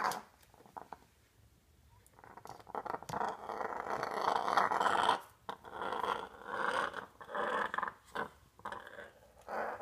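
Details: Pet African grey parrot in a Texas home growls fiercely while wrestling and attacking a dust pan and broom after sweeping, a threat display. Harsh, raspy, hissing growls come in long noisy bursts from about three seconds on, mixed with scuffling knocks.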